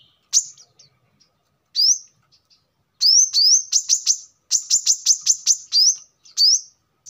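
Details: Song of a Brown-throated sunbird, played as a lure or master song for training birds: a few isolated rising whistles at first, then a dense burst of high chips and upslurs.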